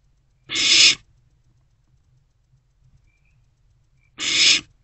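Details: Nest-box barn owl owlet at night, around 1:22 to 1:30 am on 16 March 2024, after a rodent delivery; two loud, rasping hissed screeches about three and a half seconds apart, low hum between.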